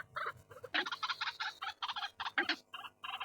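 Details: White-breasted waterhen calling in short bursts of hoarse, grating notes, a few quieter croaks first, then a dense run of rough pulses with small pauses between groups.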